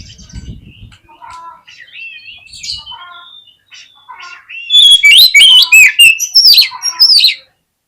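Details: Oriental magpie-robin lure song to make a reluctant bird open its tail and fight: quiet scattered whistles and twangy notes build into a loud, fast run of varied, shrill warbled phrases near the end.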